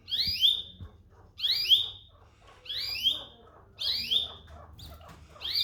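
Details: Domestic canary giving bright rising whistled sweeps, each sliding upward with an overtone, repeated roughly every 1.3 seconds in five bursts, with faint low thumps between calls.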